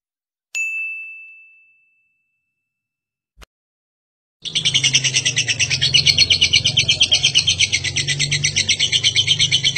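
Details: Lovebird giving its long ngekek chatter, a song used to train other birds. A clear ringing tone and a click come first, then a fast, steady run of harsh, buzzy pulses starts near the middle and carries on, with a low hum beneath.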